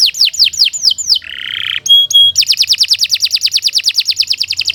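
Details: Canary song for training other birds to sing: loud rapid descending sweeps, a harsh buzzy held note, two sharp level notes, then a long fast trill of repeated downslurred notes, about eight per second.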